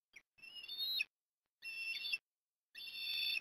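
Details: Osprey at the nest at Port Lincoln, Australia, during afternoon food deliveries in October 2021. A soft chirp, then three long, high whistled calls with a ringing, slightly wavering tone, about one second apart.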